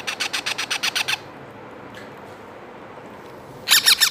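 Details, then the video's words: Two baby parrots about two months old calling while being hand fed; rapid bursts of harsh, grating squawks repeated about seven times a second, a quiet pause, then another harsh burst. "Baby parrot voice and baby parrot hand feed two parrots only 2 month"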